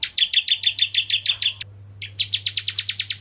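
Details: Bar-winged prinia, crystal ciblek, used as a lure to get other prinias singing: long fast train of bright, high chirps, a brief gap, then another rapid chirping run; low background hum.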